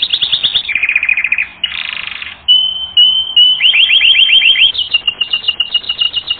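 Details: Canary training-record song with varied tours: rapid chirped trills, a buzzy rattling phrase, clear level whistles, then fast rolling repeated notes.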